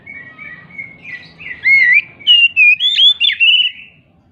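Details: Oriental magpie-robin song used to provoke other magpie-robins into singing: a brief soft warble, then loud clear whistled phrases, rising and falling slurs repeated rapidly over about two seconds.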